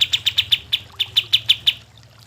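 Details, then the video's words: Lively cream-vented bulbul song meant to coax reluctant birds of the same kind into singing: a run of ten or so crisp, high chips, briefly pausing midway before continuing, over a faint low hum. "kapas tembak gacor cocok untuk pancingan kapas tembak yang malas bunyi"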